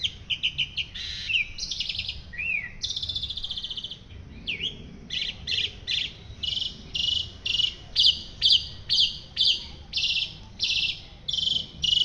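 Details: White-rumped shama singing vigorously, used as a master song for training other birds: varied high phrases of rapid chattering trills, a few looping whistled notes, then a long run of short bright bursts repeated about every half second, over faint background hiss.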